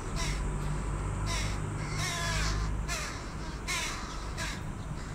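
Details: Young carrion crows, as big as their parents, begging a parent for food; harsh, rasping caws in quick bursts, about four a second at peaks, over a steady low hum.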